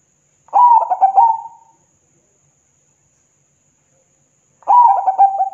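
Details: Zebra dove (perkutut) song used to provoke other doves to answer: two phrases about four seconds apart, each a quick series of soft, rolling coos ending in a drawn-out trilled note, clean quiet background.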